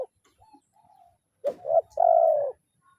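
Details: Spotted dove calling a rival, a lure bird in the kuk 0-1 style: a short soft coo, then a rough two-part phrase ending in a long, level, slightly falling hoarse coo.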